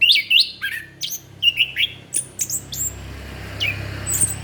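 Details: Lure song of an orange-headed thrush for attracting young birds, a quick run of sharp rising and falling whistles and squeaky notes over a low steady hum.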